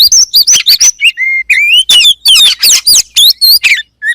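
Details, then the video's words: Oriental magpie-robin (kacer) song offered to spur kacer birds into singing; crisp separated phrases mixing bright whistles, a long flat whistled note, and rapid chirpy bursts about three per second. "THE KACER BIRD IMMEDIATELY WORKS AFTER HEARING THIS VOICE"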